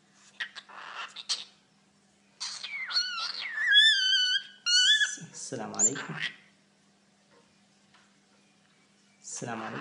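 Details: Talking pet cockatiel indoors: scratchy chatter, then a clear sequence of wavering whistled notes with rich overtones, followed by lower, voice-like sounds and more chatter.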